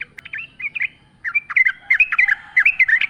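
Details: Yellow-vented bulbul singing energetically in forest style with nature sounds: a dense, continuous chatter of liquid, warbling notes that swoop up and down, delivered almost without pause.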